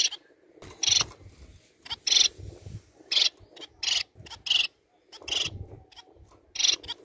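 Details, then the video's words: Society finches singing to stimulate breeding: a denser run of short, raspy, buzzy notes, some in quick pairs, with soft clicks and a low hum in the background. "MELHOR CANTO PARA ESTIMULAR A REPRODUÇÃO DE SEUS MANONS!"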